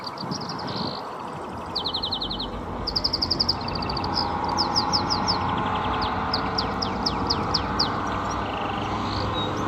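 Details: Wild Atlantic canary singing in the wild on Gran Canaria, Canary Islands, during the 2024 mating season: quick high trills and rolling note series, each phrase a rapid run of bright repeated notes, over a steady low background rumble.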